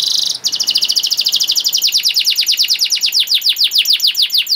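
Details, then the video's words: Lively canary song recorded as a master for young canaries to learn from. A buzzy burst leads into a fast, steady trill that gradually slows into distinct descending slurred notes, about two or more per second, over light background noise. "KENARI GACOR PANJANG CENGKOK ISTIMEWA COCOK BUAT MASTERAN KENARI PAUD || VOICE OF CANARY"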